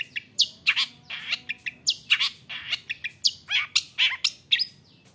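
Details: Long-tailed shrike song played to provoke other shrikes into singing: a varied run of sharp, high chirps and slurred notes, some with falling tails, delivered in quick irregular bursts.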